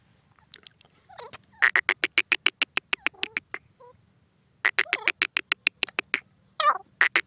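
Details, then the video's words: Grey francolin giving loud, fast series of harsh clicking notes, about a dozen per burst, in two long runs with brief squeaky chatter between them and a faint low hum underneath. "teetar ke awaz francolin sounds"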